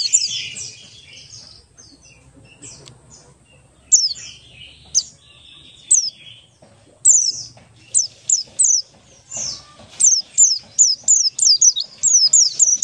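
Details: Buxtoni white-eye lure song to spur other white-eyes into singing: scattered high chirps that build into a fast series of sharp descending whistles repeated more than once a second.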